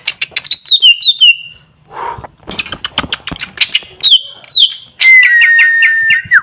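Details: Greater green leafbird mixing descending whistled slurs with dry clicking and chatter, closing on a run of long falling whistles.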